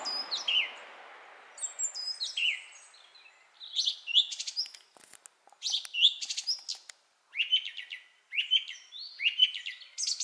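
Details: Thrush singing a varied run of high whistled notes and sharp slurred phrases. The pitch drops and jumps between phrases, with short pauses between bursts and no other clear sounds.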